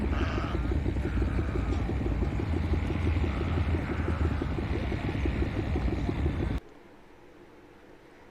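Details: Loud, steady low engine rumble like a vehicle or helicopter with pulsing throb fills most of the recording, then cuts abruptly to near silence with faint background hiss.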